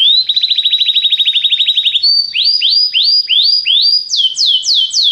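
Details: Belgian canary singing its popular song: a long even rattling trill, then a series of slow upward-curving whistles, then higher, sharper swoops repeated about three times a second.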